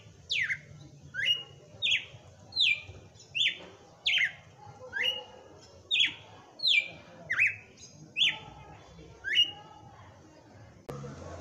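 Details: Caged Brazilian red-cowled cardinal in 'batendo fogo' song on Christmas Day: a steady series of about thirteen bright whistled notes, each a quick downward sweep, repeated roughly every 0.7 seconds.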